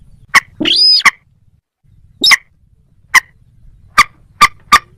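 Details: A moorhen gives a harsh, strained, rising squawk, then a run of short, clipped, percussive notes spread irregularly over about four seconds in otherwise quiet surroundings.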